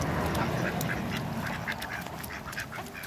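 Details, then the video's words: A pair of mallards on a waterbird farm at Skydra, Greece, quack in a quick, uneven run of short nasal calls, about three or four a second, over steady low background rumble. "MEETING COUPLE MALLARD DUCKS"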